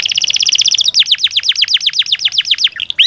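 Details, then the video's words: Canary master song used as therapy to get lazy canaries singing. It opens with a high double-toned rapid trill, then an even series of falling chirps about four per second, ending with rising notes. "Ampuh KENARI malas bunyi, Terapi untuk kenari biar cepat bunyi, masteran canary"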